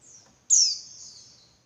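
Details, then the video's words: Female Javan white-eye giving a lure call for males: one high, piercing chirp that slurs downward and fades into a thin drawn-out tail, preceded by a faint trailing note. "Suara Burung Pleci Betina Buat Pancingan Pleci Jantan Biar Ngalas Lebih Ngotot"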